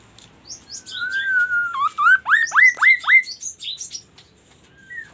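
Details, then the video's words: Magpie-robin (murai) sings a rich phrase: high scratchy twitters, a sustained mid-pitched whistle, then a run of rapid rising upslurred notes about four per second, followed by tumbling high notes and one last short whistle. "KASO KASO Berbunyi MURAI"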